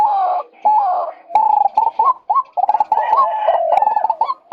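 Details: Male white-breasted waterhen recorded as a lure for trapping birds: a continuous run of harsh, croaking mid-pitched notes, some rising and bending, packed closely with brief gaps and a few sharp clicks between them.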